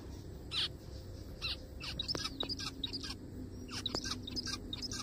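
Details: A forest zebra finch gives spaced nasal calls, then a quicker scatter of short buzzy notes, with a few sharp clicks and a low constant hum in the background.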